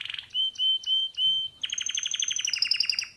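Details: Male pet canary singing: a few steady whistled notes, then a fast, even rattle of clipped notes with a high ringing overtone, repeated rapidly for over a second.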